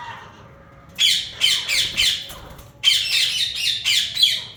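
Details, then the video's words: Yellow Indian ringneck parakeet breeder pair giving loud, harsh, rasping squawks in two bursts, each of about four quick screeches, after a short quiet start, in a room. "Yellow Ringneck natural sounds|Ringneck Breeder pair"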